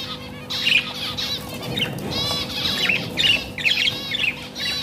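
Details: Budgerigars, possibly Indian budgies, chirp and warble in quick, scratchy bursts of high notes, with a steady low hum underneath.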